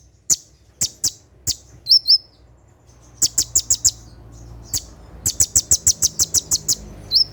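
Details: Brown-throated sunbird (konin) singing at night in the rapid 'tembakan' style, used to train caged birds: sharp, very high ticking notes in quick bursts, with short down-slurred whistles between them.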